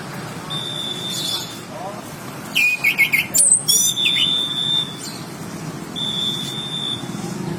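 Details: Tame chestnut-capped thrush, a Southeast Asian forest thrush: long, thin, steady high whistles, with a burst of rapid chattering notes in the middle, over a low background hum.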